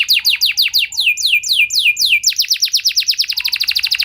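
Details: Canary singing a lure song meant to prompt other canaries into long, steady singing: tours of rapid high, downward-sweeping notes that shift into a faster, tighter trill partway through.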